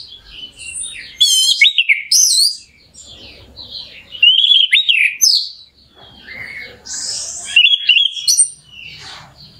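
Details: Lure song of an orange-headed thrush, aimed at rousing a bird's emotion so it sings: energetic varied phrases mixing sharp high trills, slurred whistles and buzzy notes, with brief pauses.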